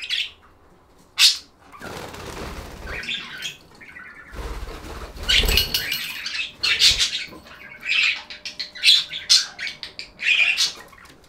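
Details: Pet budgerigars chirping in a relaxing recording: sharp high chirps and warbling chatter cluster near the top of the range, broken by bursts of wing flapping and rustling noise around two and five seconds.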